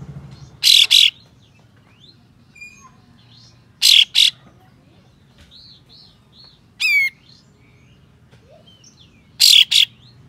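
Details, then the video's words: A white-shouldered triller sings coarse provoking calls to make other trillers open their tails; harsh double rasps recur every three seconds, interspersed with thin whistles, soft chirps and one rapid descending trill of stepped notes. "Kapas Tembak Buka Ekor Full Besetan Kasar Pedas Untuk Memancing Katem Lain Agar Bukor"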